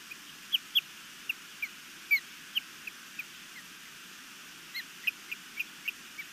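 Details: Wild osprey at a nest camera in Missoula, Montana, on 11 May 2021, calling while an intruder flies overhead and the nest is defended; short, sharp high chirps repeated irregularly, about fifteen notes in quick bursts, over faint steady background noise.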